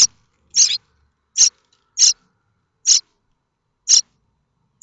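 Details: Common starling nestlings in a nest at Théding, France, on 7 May 2024, waiting for parents to bring food: short harsh high-pitched rasping bursts repeated roughly every half second to second, with silence between.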